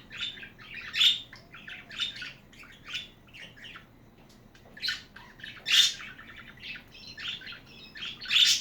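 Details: Pet budgies chattering indoors: dense bursts of scratchy, buzzy warbles and sharp chirps, with louder peaks about every one to two seconds over a low room hum.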